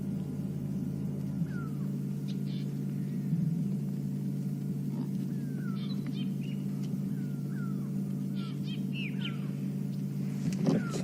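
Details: Grey go-away-birds alarming on a sunrise safari drive, 27 April 2015, calling over a very wide area, the way they call for an eagle: short downward-slurred notes repeated roughly every second, with other bird chirps and steady low engine rumble.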